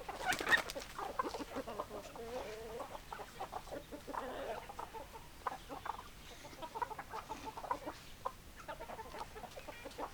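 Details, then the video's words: Flock of chickens clucking, with one drawn-out wavering note near the start and a rougher squawk around the middle, then scattered short clucks from several birds continuing more quietly to the end. "Chicken Sounds Noises Hens Clucking Roosters Crowing"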